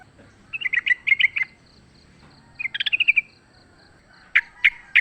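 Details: Fighting wild sooty-headed bulbul, lure sound: two short bubbly chattering phrases followed by three well-spaced loud clicks.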